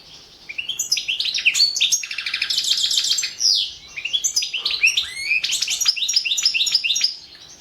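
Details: Caged European goldfinch of the Balkan form Carduelis carduelis balcanica singing a competition entry for an internet world championship, Serbia: rapid twittering of bright chirps, buzzy trills and rising whistled notes in continuous bursts.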